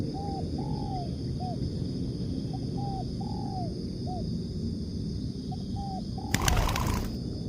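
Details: Spotted dove, called tekukur, cooing for a bird lure: repeated arched coos and short notes in irregular phrases over deep rumble, with a brief loud crackling noise near the end.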